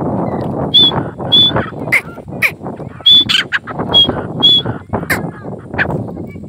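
Grey francolin giving shrill, high whistled notes repeated about every half second, over a steady rough background of noise and clatter.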